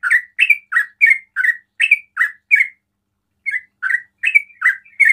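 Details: A sooty-headed bulbul delivers ropel song that provokes other bulbuls to call: rapid, squeaky paired chirps in a steady stream, a brief pause midway, then the run resumes just as fast.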